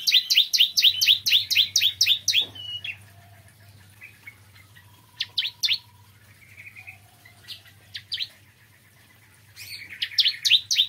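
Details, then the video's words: Bar-winged prinia singing in the morning: a rapid burst of about ten sharp, high, downslurred notes, then scattered chirps and thin whistles, ending with another quick burst; faint low hum underneath. "Kicauan Ciblek Kristal Dipagi Hari"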